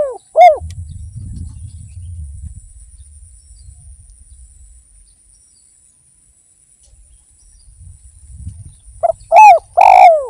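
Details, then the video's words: Actively singing spotted dove, Indonesian lure recording intended to set other doves singing; low hollow arched coos open the clip, a quiet stretch of low rumble follows, then a fresh burst of three or four loud coos at the end. "PANCINGAN BURUNG DERKUKU GACOR || YANG DENGER PASTI IKUT GACOR"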